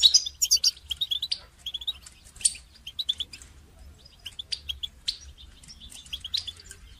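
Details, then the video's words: A goldfinch's training song opens loud with quick chirping twitters, then continues more softly as scattered high notes and brief trills. "goldfinch song training"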